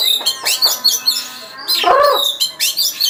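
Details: First-place contest-winning oriental magpie-robin delivering rapid, high, sweet warbled phrases broken by a short harsh, lower buzzy note midway, then resuming its bright chattering song.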